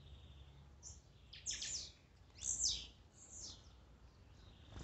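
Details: Kept-bird stimulation recording of Blue-black grassquit song, several 'macheados' mixed in: roughly four buzzy, descending high notes in quick irregular succession, quiet background.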